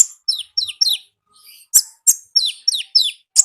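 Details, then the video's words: Wild konin in full 'gacor ngalas' song, giving rapid high-pitched descending chirps in tight pairs and triplets, with sharp sweeping notes between them. The phrases are delivered in quick, busy succession. "AUDIO KONIN GACOR NGALAS Suara Asli Alam Liar"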